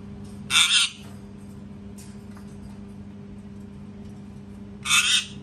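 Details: Parrot screaming very loudly: two harsh, broadband screeches about four seconds apart, with a faint short squawk between them over a steady low electrical hum.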